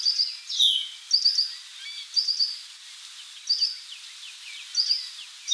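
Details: Worm-eating warbler (Helmitheros vermivorus), a shy mostly ground-dwelling bird, resting while giving short, high, buzzy call notes about once a second, with faint scattered chirps from other birds behind.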